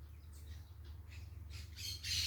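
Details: Parakeets heard outdoors: faint scratchy calls early on, then loud harsh, screechy squawks at the end, with a steady low hum underneath.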